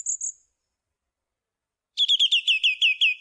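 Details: Song thrush in song: a short high pair of notes, a pause, then one clipped whistled motif repeated quickly about eight times in a steady run.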